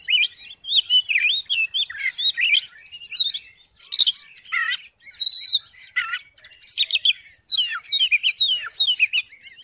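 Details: Song of an Oriental magpie-robin meant to stir another magpie-robin into singing: dense run of high, twisting whistles, quick upslurs and downslurs and buzzy clicks, delivered in rapid stuttering phrases.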